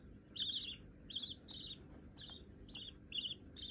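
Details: Pet budgerigar chicks already perching on a hand call in short grating chirps, some doubled, spaced unevenly over a few seconds; low steady room hum beneath.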